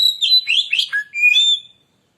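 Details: Oriental magpie-robin lure song intended to provoke rival birds: a quick phrase of sliding whistles, a low dip, then a clear sustained whistle.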